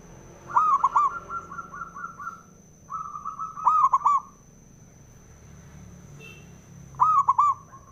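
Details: Male zebra dove cooing, a recording used to stir other doves into singing: rapid bubbling cooing phrases with a long even trill between them, repeated about every three seconds, with a steady high whine behind.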